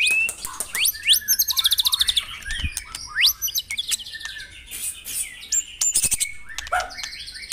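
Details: White-rumped shama song for stimulating caged birds during morning dewing: sliding whistles, clipped chirps and a quick rattling trill, phrases tumbling one after another, with a faint low hum beneath.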